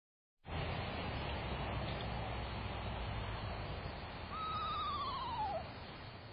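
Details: Two screech owls, described as an adult and a fledgling, visiting a rain-fed backyard bird puddle on June 11, 2023, caught by an outdoor camera: after a steady hiss, one tremulous, horse-like whinny glides downward for about a second.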